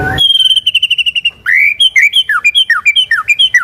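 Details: Energetic white-rumped shama song meant to draw other shamas into singing: a fast rattled series of even notes, then a run of loud whistled phrases alternating rising and falling slurs, brisk and repetitive.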